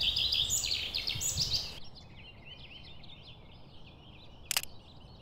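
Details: Wood warbler (Phylloscopus sibilatrix), a spring migrant, sings high in an oak tree in oak woodland on Exmoor in the morning: a run of high, quick ticking notes speeding into a shivering trill, with one sharp click.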